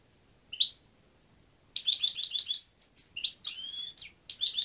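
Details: European goldfinch giving a single introductory note, then a quick twittering song of repeated liquid notes, a drawn-out buzzy phrase, and further bright tinkling figures; quiet background.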